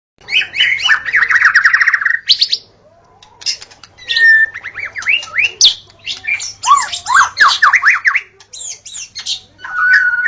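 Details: White-rumped shama singing at dawn, recording used to lure wild shamas: a loud, varied run of harsh squawks and chattering bursts, then quick rising and falling whistled slurs, with brief pauses between phrases and a faint low hum underneath.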